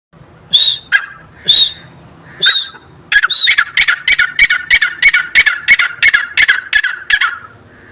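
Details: Partridge calling: three loud, harsh, ringing notes about a second apart, then a rapid run of about fourteen sharp, clipped notes in quick succession, ending abruptly; quiet background.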